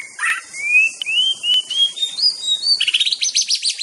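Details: Master song of an Aceh white-rumped shama: a long series of pure whistled notes climbing gradually in pitch, followed by a fast high stuttering trill.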